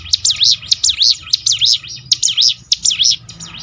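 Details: Mountain prinia song with rapid, high, looping whistled notes about twice a second, punctuated by sharp clicks, over a low background hum. It is used to train birds to sing more often.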